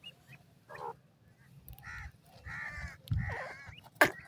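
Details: Partridge, said to be Iranian, with its chicks: a few separate raspy, buzzy calls that grow louder, ending in a sharp burst, over faint background rumble.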